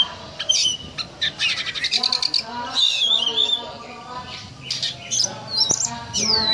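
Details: Oriental magpie-robin singing in the ngobra style, likened to a snake: sharp whistled notes and quick chattering bursts high in pitch, with harsh squawks and steady lower tonal sounds, possibly voices, beneath.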